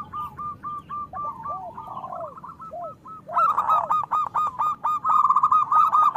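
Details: Local Indonesian zebra doves (perkutut lokal) with a loud voice, used as a lure to prompt lazy or molting doves to sing: rapid staccato cooing notes repeated in quick runs, with lower arched coos overlapping and several birds calling together.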